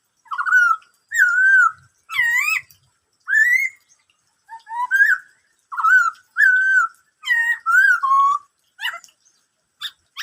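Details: Fluty, whistled phrases of a Black-throated laughingthrush in the 'bắt cô trói cột' style, about a dozen evenly spaced slurred notes, ending with faint short chips.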